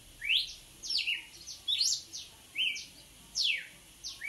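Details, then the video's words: Lively song from a red-cowled cardinal: strong whistled notes swooping downward, some doubled, given roughly twice per second in a rapid, forceful series. "Galo de campina puro luxo açoitando muito!!"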